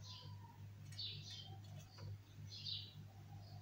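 A bulbul gives short, bright chirping phrases in bursts about once a second, over a steady low mechanical hum.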